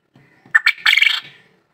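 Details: White quail calling: two short, sharp notes quickly followed by a longer, buzzy burst, the whole phrase lasting under a second, set against near silence.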